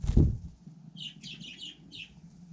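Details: Budgerigar in frost on snow: a dull thump, then a short burst of four or five scratchy chirps.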